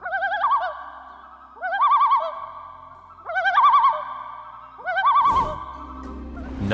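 Common Loon giving four wavering, quavering phrases, each opening with a rising note, repeated about every one and a half seconds; a short noisy burst near the end.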